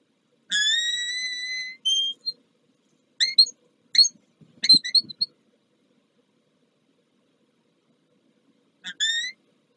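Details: Peregrine falcon at its nest on the Palace of Culture and Science in Warsaw, Poland, during the morning nest changeover on 2 April 2023. A long, rising, harmonic wail is followed by short sharp notes, with a brief wail again near the end.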